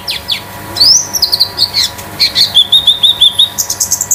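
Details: Konin sunbird kept at home as a master tutor bird, singing loud metallic phrases: a rising then level whistled streak followed by a steady series of bright, evenly repeated high notes.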